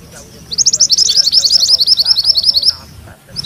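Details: Rolling ngerol song of a mantenan kuning: one rapid run of high, sharp chattering notes lasting about two seconds over a quiet background.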